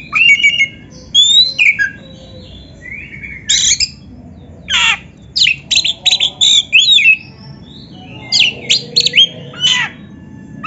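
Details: White-rumped shama singing, a master song meant to get kept birds singing: rapid varied phrases of sharp downward-sweeping notes and harsh buzzy bursts, with occasional clear whistles, in quick irregular bouts over a faint low hum.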